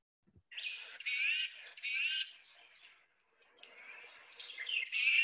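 Tufted Titmouse giving harsh, wheezy, buzzy calls mixed with high squeaky notes, in two bursts separated by a short pause.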